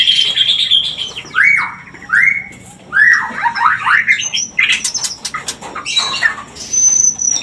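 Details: Mating-lure song of a white-rumped shama, played to stir breeding condition: a high whistle, then rising slurred whistles, a buzzy rattling phrase, and sharp clicks and chatter.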